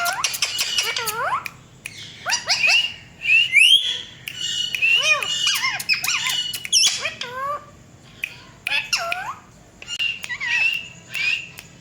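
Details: A talking Indian ringneck parakeet, a pet credited with a cat voice, gives squeaky upward whistles, curved falling calls and bursts of scratchy chatter, then quieter scattered notes.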